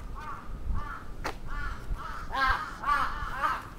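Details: Crow attacking in Atsubetsu Ward, Sapporo, 27 June 2017: several raspy caws, the later ones louder and overlapping, with a sharp click partway through.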